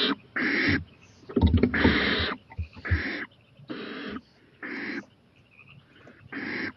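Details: Owl on a porch at night, 11:26 pm, 23 April 2018, eyeing a playground: seven coarse, breathy hisses of varied length, with a burst of scuffling knocks early on.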